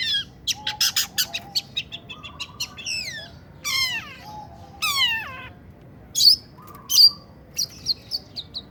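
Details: Long-tailed shrike in breeding condition, mixing song with rasping 'mengkorok' notes. A varied, loud phrase of harsh buzzy bursts and steeply falling, cat-like slurred squeals, with short flat whistles and sharp high chips between.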